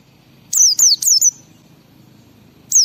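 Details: Ngalas-style song of a white-eye, played to make other white-eyes respond: a run of four piercing, falling whistled notes, then silence before one more note begins at the end.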